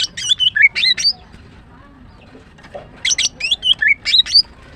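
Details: A female greater green leafbird's morning song: two matching bursts of fast, high chirps and slurred whistles, about two seconds apart.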